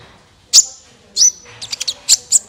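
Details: Thin, very high sunbird notes for prompting other birds to sing: two drawn-out piercing whistles, then a quick run of sharp chips.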